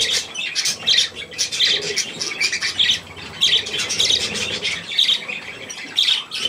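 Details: Young budgerigars at millet, 3 May 2024, keep up loud, continuous, scratchy high chirping with sharp notes about once a second throughout.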